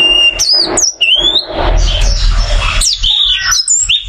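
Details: Caged oriental white-eye singing in bursts: a few high rising whistles at the start, then a stretch of broad noise and low rumble, then more quick thin whistled phrases.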